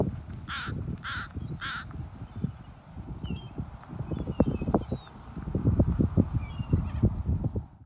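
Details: Northwestern crows on San Juan Island, filmed in October 2020 on a phone: three harsh, nasal caws in quick succession about half a second apart, then faint distant calls over steady low rumbling wind or handling noise.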